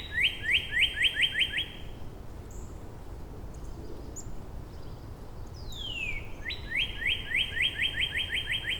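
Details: Neighbouring Northern Cardinals counter-singing in Angrignon Park, March: a run of quick upslurred whistles, a pause with faint distant calls, then a down-sliding whistle followed by another fast series of rising whistled units.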